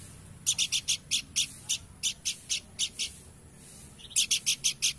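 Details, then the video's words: Horsfield's babbler singing actively with evenly paced, loud, dry chipping notes, roughly three per second, then a quicker closing run of five notes. "Burung Planduk Semak Gacor"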